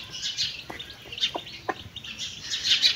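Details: Mother hen with chicks while eating, heard as short clucks around 1.2 and 1.7 seconds under steady high chick peeping throughout.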